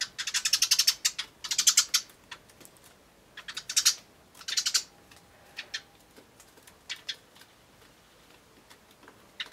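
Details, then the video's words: Eurasian tree sparrows chirping while feeding at a bird table on 24 May 2013 give bursts of rapid, high chirps, several quick notes per burst, with short gaps and fainter single chirps between. "鳴きながら食べるスズメ Tree Sparrows eating while chirping"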